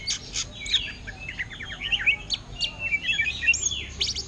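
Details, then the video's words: Greater green leafbird singing in ngentrok style imitating the orange-headed thrush: rapid, varied high whistles and sharp chirps, some sliding up or down, delivered in a busy, unbroken stream. "Cucak Ijo Ngentrok Gaya Anis Merah"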